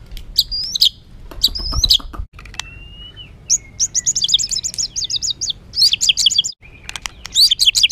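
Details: Rough, emotional white-rumped shama song used to make other birds agitated: sharp high notes, a long level whistle, then rapid runs of high twittering phrases broken by short gaps.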